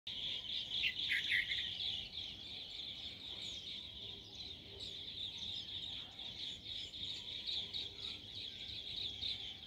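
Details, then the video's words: Bee-eater morning song: a chorus of rolling, trilled chirps, several per second, high and continuous, over a steady background hiss. "morning song of bee eater"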